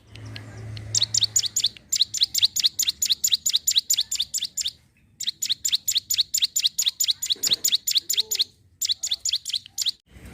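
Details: Lively Sunda warbler song, used as a lure for wild birds: long runs of quick, bright, high-pitched chirps repeated steadily, broken by brief gaps, over a soft low background hum.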